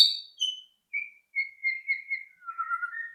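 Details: White-rumped shama song for provoking other birds to sing: clear drawn-out whistles, a high descending opening note followed by steady level whistles and a lower wavering phrase.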